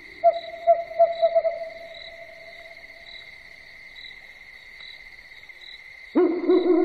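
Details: An owl at night gives a quick run of five short, mid-pitched hoots, then falls silent; steady insect trilling continues throughout, and a harsher, buzzy sound cuts in near the end.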